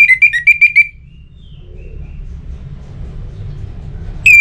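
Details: Orange-headed thrush song, used as a lure to get other birds singing: a quick series of clear whistled notes around the same pitch, then a long pause over low background rumble, and a new loud phrase starting at the end.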